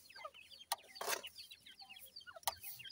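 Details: A brood of grey francolin chicks calling while feeding and playing. Many quick, high, falling peeps tumble over one another, broken by a few sharp clicks or taps.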